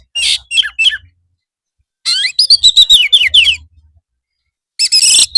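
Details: Afternoon training song of a white-rumped shama: high chirpy notes, then a fast rattling series of sharp whistled phrases around two seconds, ending with a harsh burst.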